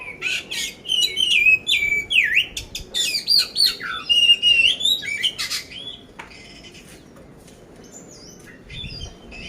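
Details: Contest-ready poci oriental magpie-robin, Magelang, Indonesia, with a rapid rough-filled song of dense chips, V-shaped slurs and wavering whistles for six seconds, then near silence broken by a few high thin notes.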